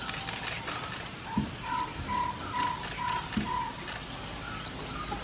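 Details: In Sri Lanka on 22 December 2015, a Chestnut-backed Owlet gives a run of six short, mellow hooting notes at an even pace, about two per second, over a steady background hiss with a couple of soft knocks.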